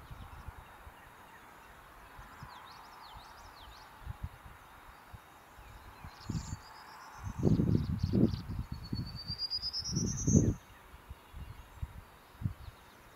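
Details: Prairie warbler singing between preening bouts at Lindsay-Parsons Biodiversity Preserve, May 2021. Scattered thin chips come first, then low rumbling thumps, then a single rising run of high, buzzy notes that climbs steadily.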